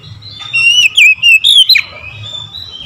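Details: Oriental magpie-robin singing in the morning: a loud burst of four or five clear, slurred whistles, some rising and some dipping, packed into just over a second, ending in a sharp downward note.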